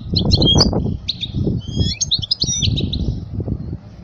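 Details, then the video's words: European goldfinch song played for teaching young goldfinches: fast tinkling twitters and short trills in bursts, mixed with loud low rumbling background noise throughout. "اجمل غناء لتعليم صغار الحسون"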